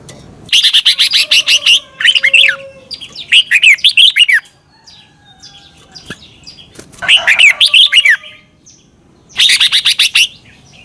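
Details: Thai red-whiskered bulbul song, played for caged birds to copy: repeated phrases of rapid clicking notes and sweet slurred chirps, coming in bursts every two to three seconds, with faint thin whistles in the gaps.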